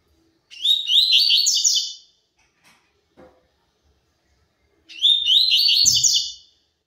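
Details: Double-collared seedeater singing the pure tui tui zel zel song, two bright rapid phrases about four seconds apart, each a quick stream of high chirped notes lifting at the end; faint clicks and a soft thump between them.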